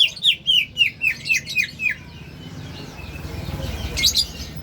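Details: Greater green leafbird giving an unusual, strange-sounding call: a run of about eight sharp, downward-slurred whistled notes, roughly four per second, fading after two seconds into soft background murmur and a brief high twitter near the end.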